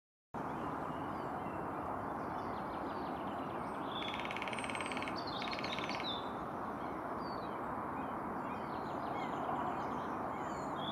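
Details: At Kotka, Finland, a lesser spotted woodpecker gives two quick bursts of thin, high, evenly repeated notes against a steady roar of wind or distant traffic, with faint chirps from other birds.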